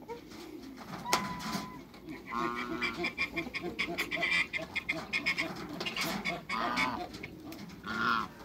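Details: Toulouse geese, two males and a female in a backyard, give repeated nasal honks with ragged harmonics, spaced irregularly over a steady murmur of other fowl.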